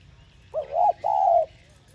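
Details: ['Spotted dove coo meant to stimulate other doves to call: a short husky note rolling into a second, then a long steady hoarse coo, all within about one second.']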